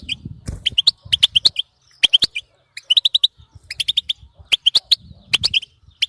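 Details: Bitbeta chirping from a European goldfinch, intended to prompt continuous singing in another goldfinch; crisp tweets in groups of three to five with short gaps, plus occasional low rumble.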